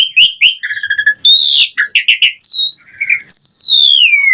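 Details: Asian pied starling singing varied gacor mompa phrases full of fill-ins: chirps, a fast rattling trill, swooping whistles and a long clear descending whistle at the end.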